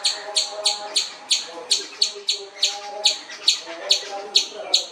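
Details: Common babbler, or seven sisters, uttering a string of rasping, sharp notes repeated a little over twice a second, slightly irregular, over a quiet murmur of lower tones.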